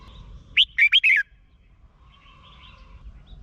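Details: Red-whiskered bulbul from Thailand singing, played for caged birds to get them excited. A quick phrase of four bright, bubbling whistles, the last one downslurred, then soft chattering of other birds in the background.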